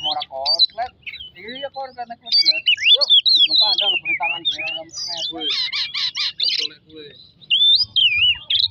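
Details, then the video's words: Oriental magpie-robin song used as a lure to provoke singing: varied phrases mixing lower buzzy, nasal notes with high whistles, a rapid run of four harsh pulses in the middle, then more looping whistles. "pemancing emosi burung kacer"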